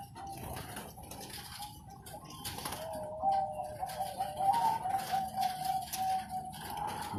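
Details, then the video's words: Zebra dove, a competition bird from Sidoarjo, East Java, giving its song: bubbling, wavering coos held near one pitch and repeated over several seconds, with background room noise and clicks. "Anggungan Suara Perkutut Prestasi"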